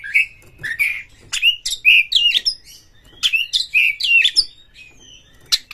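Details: Oriental magpie-robin (kacer) in aggressive fighting song: dense bursts of whistled slurs, upward sweeps and harsh rasps in two busy phrases, then a lone sharp note.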